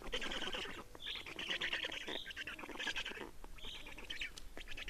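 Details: Black storks at an Estonian nest, 30 May 2019, 15:28, changeover and feeding: rough buzzy rattling calls with higher squealing notes roughly every second, over steady background hiss.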